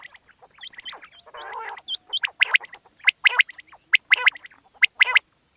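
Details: Quail night calls used for hunting: a busy run of sharp clicking chirps and short upturned whistles, about one a second, with a brief harsh rasp partway through.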